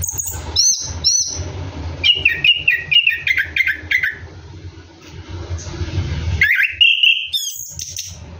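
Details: Orange-headed thrush singing ngeroll style at night while bathing: a run of repeated falling whistled notes and high sharp calls over a steady background hiss and low hum.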